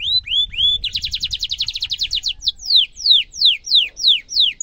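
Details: Canary delivering a sharp trill for training young canaries; two rising whistles, a fast buzzing roll of even pulses, then repeated descending slurred notes about three per second, with a faint low rumble beneath.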